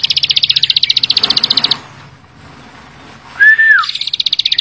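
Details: Bar-winged prinia singing hard: a long run of rapid, rhythmic buzzy notes high in pitch, a short lull, a smooth rising-falling whistle, then the quick repeated series resumes.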